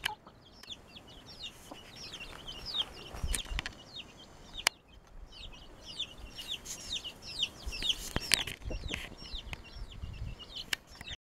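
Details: Speckled Sussex hen feeding her 11 newly hatched chicks: a dense stream of high, thin, downslurred peeps from the chicks, with soft low clucks underneath and occasional sharp knocks and clatter.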